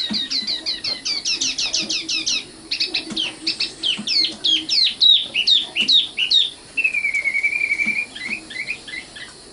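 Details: Luscinia megarhynchos, the Common nightingale or sikatan londo, pours out a fast rattling series of clicks and chirps, then a steady level whistled note and a few closing twitters.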